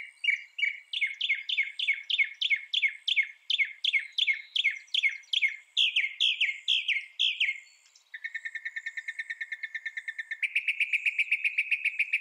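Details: Northern mockingbird delivering many sharp descending notes repeated rapidly, then switching to a steady buzzy trill and a higher sustained rattling phrase.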